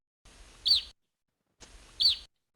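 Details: Evening Grosbeaks from a flock met in Colorado while searching for crossbills, recognised as a call type different from types one and two: two short, high, burry call notes about 1.4 seconds apart, each bouncing sharply up and down in pitch.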